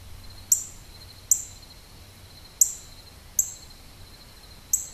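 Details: Northern cardinal (red cardinal) recorded in Maryland on 10/7/12, giving sharp, high, clipped notes spaced irregularly, five in five seconds, over a steady insect-like hum.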